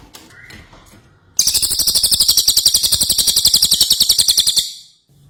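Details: Ashy tailorbird bursting into a sustained three-second stream of rapid, even, high-pitched chattering pulses after a quiet start.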